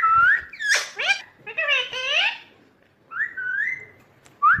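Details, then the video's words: Ringneck parrot talking, said to say "mummy papa": a bright whistled rising note, then harsh, voice-like syllables with layered tones, a pause, and a level whistled phrase ending in a short upward whistle; indoor setting. "Ringneck 🦜 Parrot Mithu talking mummy papa"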